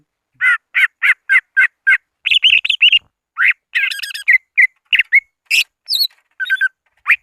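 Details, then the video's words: Greater green leafbird lure sound for calling rivals: opens with six evenly spaced, loud whistled notes, then a varied run of chattering, buzzy and sharp rising whistles in a clean recording. "Suara Asli pikat CUCAG IJO BIG memanggil lawan"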